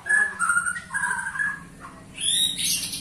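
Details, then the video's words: Brief passage from a 21-year-old white-rumped shama still singing strongly: a few steady whistled notes at mid pitch, then a burst of high buzzy sound, over a low background hum. "Murai batu ini ternyata usianya 21 TAHUN Gaya main masih NGOTOT"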